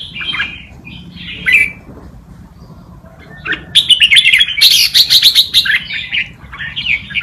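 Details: Tutor song of a red-whiskered bulbul used to teach young birds, with short warbled phrases early on and a denser, louder run of rapid chirpy notes through the middle and end.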